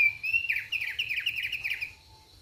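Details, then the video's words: Thick-billed white-eye in relaxed song: a steady whistle leads into a fast warbling run of wavering, chattering notes lasting under two seconds, with a low rumble beneath. "KICAUAN SANTAI OPIOR PARUH TEBAL"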